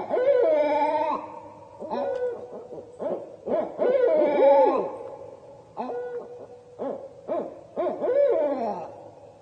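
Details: Barred owls (Strix varia) at night near a campground give a wild, caterwauling bout of loud, overlapping hoots that rise, waver and slur downward in bursts every second or two: a pair's territorial calls, revving up on hearing a neighboring pair or individual.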